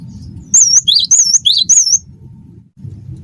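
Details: Single burst of wingko song from a gelatik batu (cinereous tit): four quick phrases alternating high wavering whistles and lower slurred notes within about one and a half seconds, then quiet hum.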